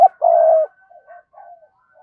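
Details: Decoy spotted dove calling to attract wild doves: a clipped note, then a long low steady coo, followed by several soft quieter hoots.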